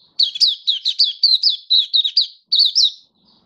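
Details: Mata puteh, the oriental white-eye, in song display on 24 February 2023: a steady stream of sharp, high, down-slurred chirps, roughly ten in quick succession, a brief break, then three more.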